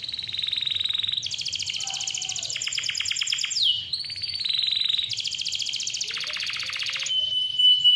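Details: Canary song with a clear voice, used to prompt young or lazy canaries to sing: long successive tours of rapid pulsed trills at changing pitches, with a few soft low notes beneath.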